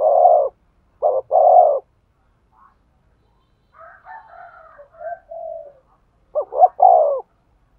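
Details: Spotted dove cooing aimed at stimulating a male: strong paired coo phrases open and close, separated by a faint crowing rooster-like call with scattered softer notes.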